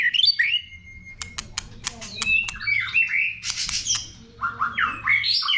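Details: White-rumped shama singing a many-voiced song meant to stimulate other shamas: clear whistled notes, some swooping and some held steady, mixed with sharp clicks and short chattering bursts.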